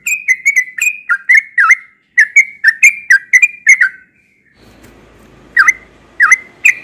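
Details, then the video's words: Yellow-vented bulbul, a bird said to sing often in the morning, gives a melodious song of short bubbly whistled notes, rapid and repeated, with a brief pause then three more emphatic notes over a faint low hum. "Burung trucukan yang sering berkicau di pagi hari"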